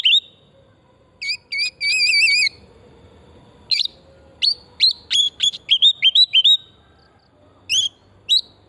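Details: Kacer, the oriental magpie-robin, in full song played as a singing lure: wavering, warbling whistles followed by a fast string of sharp, upslurred notes and scattered chips.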